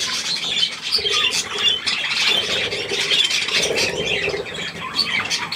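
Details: A group of budgerigars with young by millet, recorded 3 May 2024: steady scratchy twittering and short squawks run together without pause, with a few higher clipped notes.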